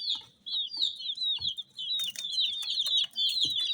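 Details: Many dye-coloured rainbow chicks peeping together in a dense, overlapping chorus of high, thin, downward-slurred notes, with a few soft knocks underneath.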